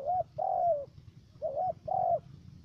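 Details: Spotted dove kept as a trapping decoy in U Minh, Cà Mau, Vietnam, three-note voice: two quick pairs of coos, each a short arched note leading into a longer, gently falling note.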